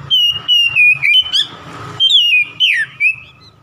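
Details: Oriental magpie-robin delivering a fast challenge song meant to anger a rival: steady whistled notes chained in rapid bursts, some rising sharply, others sliding down, with a brief raspy patch midway and a low background hum.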